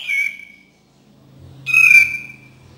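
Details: Cream-vented bulbul, a recording used to coax reluctant birds into singing: two short, rich whistled notes with a slight falling slide, separated by about a second of near silence.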